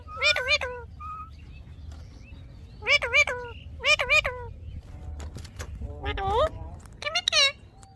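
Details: Rose-ringed parakeet giving clusters of quick, bent, nasal notes in short groups separated by pauses, over a low background hum.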